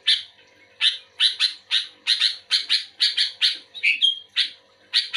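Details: Actively singing sooty-headed bulbul answering another bulbul with loud rasping chirps, some in doubled pairs. A brief clear whistled note cuts through near the end. Background is otherwise quiet.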